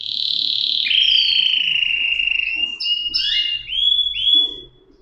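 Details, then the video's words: Canary singing smooth whistled glides that bend up and down, with overlapping tones, short leaps between pitches and a pair of rising slurs near the end. "صدای قناری"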